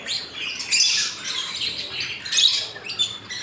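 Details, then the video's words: Lovebirds in a breeding colony, several birds calling at once: loud, harsh, high chirps and squawks overlapping in irregular bursts, with dense chattering throughout. "لو برڈز"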